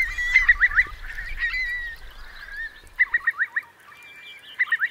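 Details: Eurasian curlews roosting among some 3,000 birds in Marquenterre's wet meadows, Bay of Somme, France, at high tide on 7 October 2021; quick bubbling trill notes in short bursts, with a drawn whistle between and low rumble at the start.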